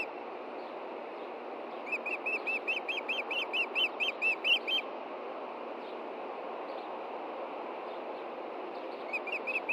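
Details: Montana nest, June 2013 evening: an Osprey looking for the fish the female hid calls a run of about fourteen whistled chirps peaking in loudness mid-series, then hiss, with a few faint chirps at the end.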